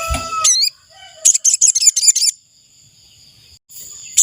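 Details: Ashy tailorbird call used as a decoy to lure wild birds: a short burst of high notes, then a second rapid series of sharp, repeated chips for about a second, over a continuous thin, high-pitched background hum.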